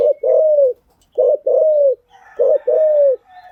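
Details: Spotted dove call for training freshly caught birds: three clear phrases, each a short stuttered coo then a long level-to-falling coo, spaced about every 1.2 seconds; faint chirping at the end.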